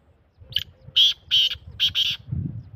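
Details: Black francolin calling: a short harsh note followed by two longer grating, buzzy notes and a quick double note, all in about two seconds over faint low rumble.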